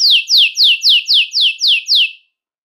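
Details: Belgian canary song meant to attract and call other canaries: eight quick, high descending whistled sweeps, about four per second, then silence.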